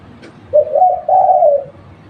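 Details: Local spotted dove used as a lure bird, giving a two-part cooing phrase: a short note followed by a longer, slightly descending coo in a quiet setting.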